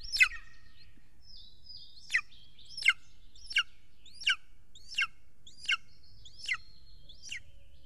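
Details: Golden eagle calling at its nest in Estonia on 3 June 2020 at dusk, when the adult arrives with large prey: piercing descending yelps, one roughly every 0.7 seconds, with a thin drawn-out whine between them.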